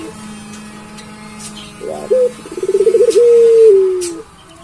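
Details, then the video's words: Calling often, a puter pelung collared dove delivers one phrase: a clipped opening note, a series of pulsed rolling beats, then a sustained deep coo that slowly falls away. A soft steady hum continues throughout. "Burung Puter Pelung Gacor Bunyi Terus"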